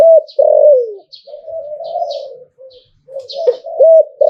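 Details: Zebra dove, Thailand, singing in hlio-tan style. A loud falling coo leads into a long, soft, bubbling trill, then loud rolling looped coos. Light high chirps from other birds are heard above.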